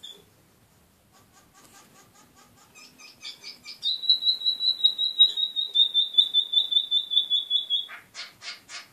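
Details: The first two young yellow-rumped mannikins out on a perch give soft chips, then a steady run of high, thin notes about two or three a second, ending in buzzy chatter.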